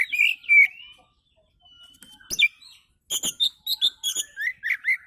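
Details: Oriental magpie-robin song played as a lure for other birds: slurred whistles near the start, a pause, then a rapid run of sharp varied chirps and clicks with rising whistled notes.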